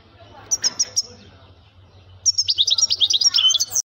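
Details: Male European goldfinch singing with a strong voice: a few high chirps, a pause with faint background sounds and low hum, then a lively, rapid twittering phrase that stops abruptly.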